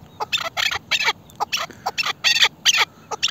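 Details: Partridge calling in a loud series of harsh, rasping notes, given in short paired or tripled bursts repeated roughly every quarter to half second, with a faint hiss of background noise.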